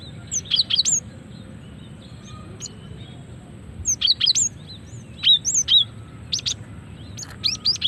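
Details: Female cinereous tit, lure calls to draw males and make them sing: short groups of high, sharply bent chirps and whistles separated by quiet stretches of a few seconds, over a faint steady hum.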